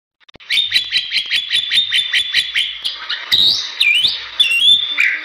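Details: Bali myna singing in full, lively gacor style: a quick train of about fourteen clipped, even notes, then loud rising and dipping whistles mixed with harsh chatter.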